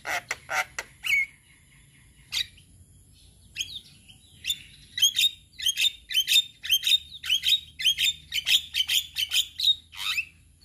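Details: Tutor song of a male Javan myna, played to teach other mynas. A few sharp clicks and a buzzy whistle come first, then a long, even series of rapid chirping notes, roughly one per second, that grows busier toward the end.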